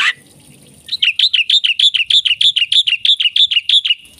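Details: Black-winged myna in full, lively song: after a brief squawk, an even, rapid series of about sixteen bright chirped notes at a steady beat.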